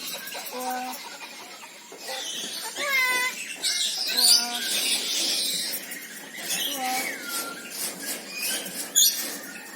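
Red-breasted parakeet chattering in bursts of nasal, tonal notes and harsh, scratchy screeches, some rising or falling, over a busy background of high calls.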